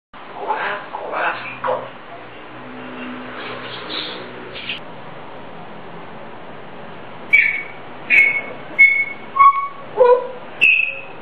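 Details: Pet grey parrot singing a self-made tune. The opening is rough and voice-like. After a pause come a run of short, clear whistled notes near the same pitch, with one dropping lower, spaced roughly half a second apart.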